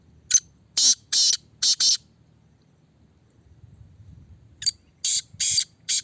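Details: Black francolin (Kala Teetar) kept in a red cage and tested for its voice. It gives two call phrases, each a short click then harsh, scratchy notes, separated by about two seconds of near silence.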